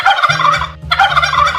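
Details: Turkey gobbling in two rapid, rattling bursts of about three-quarters of a second each, separated by a short pause, with soft, steady low music tones underneath.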